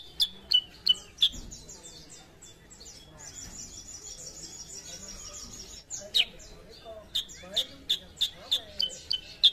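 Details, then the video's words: Sooty-headed bulbul, an untrained bird being brought into frequent singing, gives sharp high chips at the start, then a buzzy, shimmering trill over faint background noise, before the rapid clipped notes resume. "KUTILANG SUTRA BAHAN JADI GACOR"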